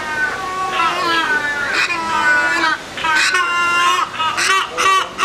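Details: Hornbills singing to each other trade nasal, wavering wails back and forth, drawn-out overlapping calls broken by short sharper notes, with no other clear sounds.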